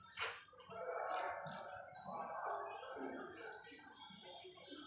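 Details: A happy pet Indian ringneck parakeet gives a sharp opening squawk, then a steady run of raspy, gurgling chatter in the midrange, with a few brighter notes near the end.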